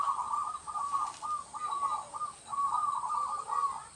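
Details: Zebra dove of local stock singing steadily in rural village surroundings, used as a trapping lure; repeated rolling coos of rapid even pulses, phrase after phrase with brief pauses, over a quiet hiss.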